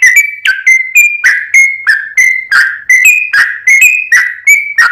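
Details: Sooty-headed bulbul song for luring: a steady train of short, clear whistles with sharp attacks, about three per second, alternating slightly higher and lower in pitch.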